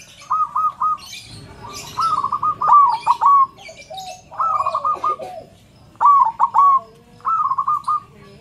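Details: Zebra dove known for a big, mellow voice, played to coax other zebra doves to sing; rhythmic phrases of fast stuttered coos ending in rolling trills recur every second or so, with a softer answering dove lower in pitch.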